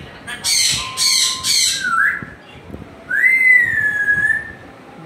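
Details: Pet African grey parrot indoors, asked for a cat sound, gives three harsh squawks in quick succession, then two clear whistles that rise and hold, the second long and level.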